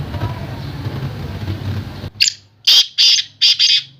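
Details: Black francolin, called Sindhi kala teetar: after two seconds of low rumbling noise, a short harsh note is followed by a quick run of loud, grating, buzzy syllables, some doubled, in a tight burst.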